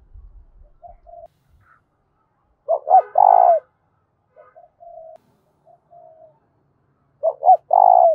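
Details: Spotted dove giving loud, ringing challenge coos used to provoke fighting: two loud three-part phrases, each two short rising notes then a long buzzy, pulsing coo, with faint softer coos between them.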